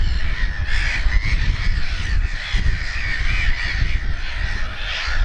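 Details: Black-headed gull colony with chicks at RSPB Snettisham, Norfolk, 29 May 2018, afternoon: a dense chorus of overlapping grating, squealing calls that never lets up, with heavy low wind noise throughout.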